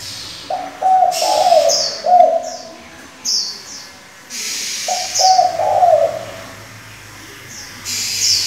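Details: Spotted dove decoy bird with many voices, kept for luring and training young doves, giving two low cooing phrases several seconds apart, each a run of short hoarse notes ending in a rolling coo, with high bright chirps from other birds between.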